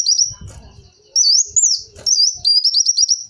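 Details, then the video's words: A high thin whistle from a kolibri wulung sunbird, used as a lure sound, followed by a wavy rising-falling phrase and a fast stuttering trill, with some low rustling and knocks. "Suara burung kolibri wulung cocok buat suara pikatan kolibri"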